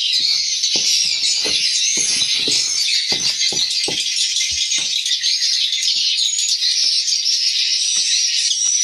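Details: Swiftlets inside a swiftlet house, the walet birds filling the building with a continuous dense, high twittering chatter from many birds, broken by scattered sharp clicks and taps throughout.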